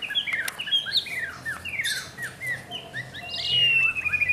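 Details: White-rumped shama in training gives a quieter run of quick downslurred chirps and whistles, closing with a long, thin, falling whistle over faint background hiss.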